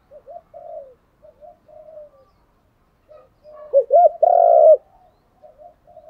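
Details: Decoy spotted dove calling to provoke wild doves into answering; soft scattered low coos, then a loud burst of two short coos and a long trembling coo, followed by faint quiet notes.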